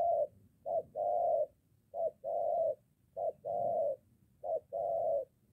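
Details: Near a home in Gia Lai, Vietnam, a moulting spotted dove decoy in training encounters a wild one. Four steady couplets of a brief coo then a long, hoarse, level coo, evenly spaced roughly every 1.3 seconds.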